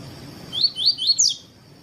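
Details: Double-collared seedeater giving a 'tui tui' phrase to teach and warm up other seedeaters: four bright, rising whistled notes evenly spaced over about three quarters of a second, the last slightly higher and buzzier.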